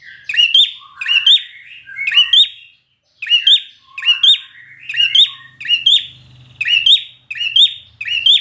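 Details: Red-whiskered bulbul trained for competition singing, delivering intense, fiery song: bright chirpy phrases repeated almost every second, each sweeping upward, with softer lower warbled notes between them and no other sounds.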